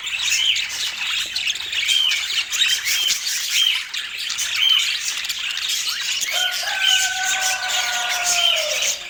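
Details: Budgerigar chatter with short bright whistles repeating about every second amid scratchy squawks; near the end a pair of long, steady, slightly falling tones sounds over the flock.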